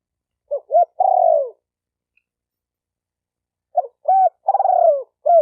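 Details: A spotted dove coos: two quick hollow notes lead into a drawn-out falling coo, and after a pause the phrase starts again. No other sounds are heard.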